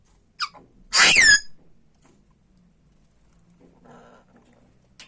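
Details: African grey parrot giving a short, high chirp, then one loud harsh squawk with a falling tone lasting under half a second. A soft rustle follows, then a faint click at the end.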